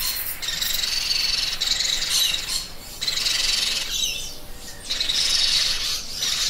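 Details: Parrot screeching in long, rasping, noisy squawks roughly a second apart, each sustained and grating, with gaps of quieter hiss between them.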